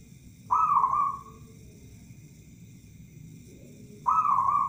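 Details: Local zebra dove kept as a lure bird: a cooing phrase that holds level and then fades, repeated after a gap of about three seconds over a steady low hum.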